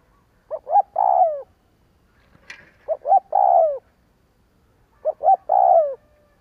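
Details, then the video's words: Spotted dove lure call repeated three times at about 2.3-second spacing. Each phrase is two quick low hoots and a long, buzzy, descending coo. A faint click sounds between the first two phrases. "Tiếng chim cu kích bổi Hiệu quả /Cu gáy kích bổi/ Chim cu gáy kích bổi 100% mở gáy liền"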